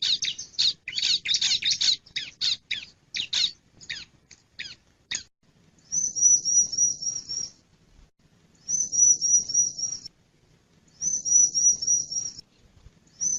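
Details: Male bar-winged prinia call: harsh high chips in quick bursts for several seconds, followed by three separate trilled, wavering high whistled phrases each about one and a half seconds long.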